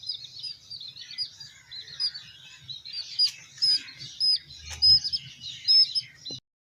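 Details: Several baby chicks being raised twitter together in overlapping high peeps, fainter and less regular, with scattered clicks and a low rumble of handling noise.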